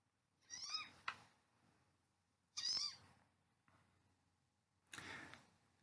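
A Green-tailed Towhee gives three soft, catlike mews about two seconds apart, each a high, slurred, slightly nasal note, sweeter than a harsh scold.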